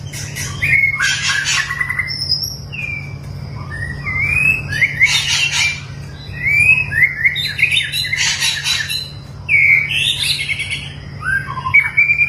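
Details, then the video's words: White-rumped shama, long-tailed, trained for mental toughness, sings a sustained series of slurred whistles and scratchy chattering bursts, high thin notes between, with a constant low hum. "melatih mental burung murai batu ekor panjang"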